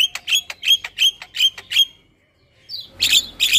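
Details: Jalak starling in a bird-training recording: a rapid even series of sharp ticking notes, a short pause, then harsh loud rasping squawks.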